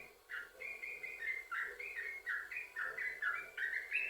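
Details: Continuous 'sambung ropel' song of a vocal yellow-vented bulbul, used to coax other bulbuls into singing: slurred, warbling notes roughly every third of a second, alternating higher and lower pitches.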